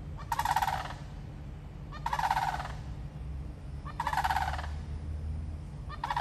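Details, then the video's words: Florida sandhill crane giving loud, rolling, trumpeting rattles, each about half a second long and repeated roughly every two seconds, over a steady low rumble. "Florida Sandhill Crane Bird Call"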